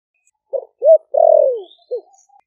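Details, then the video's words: Ninh Thuan spotted dove, wild-caught and kept four months in a cage, singing the low 'thổ sấm' voice meant to draw wild doves. Two brief notes, a drawn-out descending coo and a final short note; a faint high chirp overhead. "Cu gáy kích bổi nhanh nổi GIỌNG THỔ ĐẶC ( THỔ SẤM )gáy gọi bổi về"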